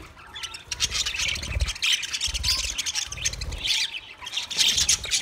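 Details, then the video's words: Twenty pairs of budgerigars in an aviary chatter together in a dense, continuous chorus of high, scratchy chirps and warbles, with short squawks overlapping throughout and soft low thumps from movement underneath. "10 minutes 20 Budgie pairs chirping sounds | Beautiful parrot singing"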